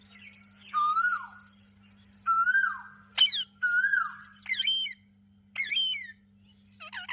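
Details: Captive ringneck parakeets in blue, green and kiwi colours giving natural vocal sounds: drawn-out level whistles broken by sharp downward-sweeping chirps and wavering notes, with pauses between phrases and a constant electrical hum behind.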